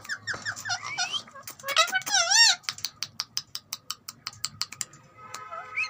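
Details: Talking green ringneck parrot indoors: wavering, voice-like warbled phrases with bending tones, followed by a steady run of sharp clicking ticks about four per second, then a brief squeaky whistle at the end.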